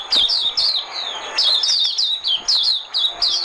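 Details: White-eye decoy song used to lure birds for trapping: rapid bursts of high, thin, downslurred twittering notes in quick runs, with short pauses between phrases.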